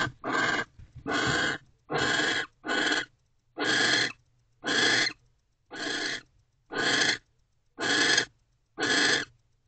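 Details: Owl pair mating inside a nest box on 20 January 2024: rough hissing screeches about half a second long, repeated roughly once a second, ten bursts in all, with brief shuffling noise.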